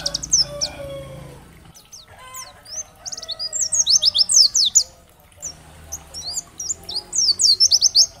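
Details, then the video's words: Oriental white-eye (pleci) song meant to stimulate other white-eyes into singing: very high twittering with quick downward-sweeping notes in fast bursts, broken by a short pause, over faint low hum and a few lower whistles. "Terapi Masteran Pleci agar cepat Bunyi gacor dan nembak materi, pleci gacor"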